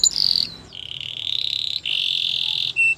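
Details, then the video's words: Canary training song: a bright high note opens, then two long rolling trills held steadily at a high pitch, and a short clear whistle at the end. "Most popular canary training song"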